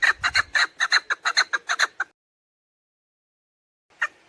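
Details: Female chukar partridge call for luring birds when hunting, a quick cluster of scratchy clucks lasting two seconds, then silence and one final note.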